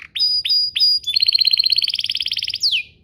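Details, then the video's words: Singing canary used as a lure to make other canaries sing. Three clear rising whistled notes are followed by a rapid, even pulsed trill of about twenty notes, ending in a single falling sweep. "Pancingan Burung Kenari agar CEPAT BUNYI, terbukti ampuh bikin burung kenari lain nyaut"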